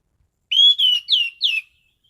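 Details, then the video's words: Orange-headed thrush, a songbird kept in a cage, gives a loud whistled phrase of four notes, the last two sharply downslurred. "Burung Anis Cendana Gacor mapan"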